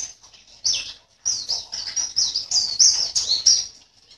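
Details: Caged white-eye from Sambas, West Kalimantan, sings for a contest: after a brief chirp and a pause, a quick run of bright, high chirps follows at roughly a second and a half per cluster.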